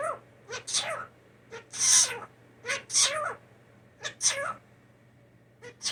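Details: Indoor blue jay, rescued as a fallen nestling and raised by hand, copies a person's sneezing: a run of harsh, airy, explosive bursts with short throaty onsets, several in quick succession, then a pause and two more.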